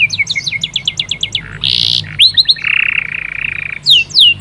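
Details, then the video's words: Varied canary song from a local-type bird: a quick series of sharp descending notes, then a harsh buzzy burst, clipped swept notes, a long steady rattling trill, and closing loud descending whistles. "SUARA VARIASI BURUNG KENARI GACOR JENIS LOKAL"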